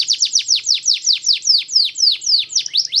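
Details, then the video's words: Canary singing a steady tour of sharply down-slurred, high chirping notes, about five per second, evenly repeated throughout with a clean, quiet background. "Solusi Kenari Malas Berbunyi"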